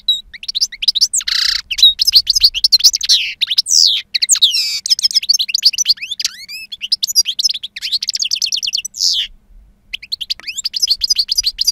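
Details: A two-year-old European goldfinch in full wild-style song with a strong timbre: an extended, rapid stream of liquid twitters, sharp chips and rising whistles, broken by a few buzzy nasal notes.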